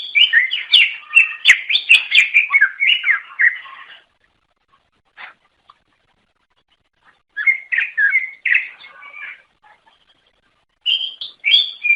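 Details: Greater green leafbird (cucak ijo) singing to lure others of its kind: a four-second run of quick, varied chirps and warbled notes, a pause with stray clicks, then two further bright chattering bursts.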